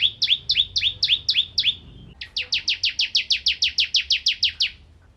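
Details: Bar-winged prinia singing energetically as tutor material for magpie-robins, a bird often found around rice fields: seven quick high chirps, a short pause, then a longer, faster, evenly spaced run of about sixteen bright chirps.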